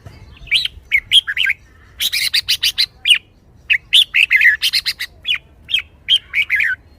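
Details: Energetic red-whiskered bulbul pours out a fast series of bright, slurred whistled notes in quick bursts and scattered single chirps for several seconds, with little else heard.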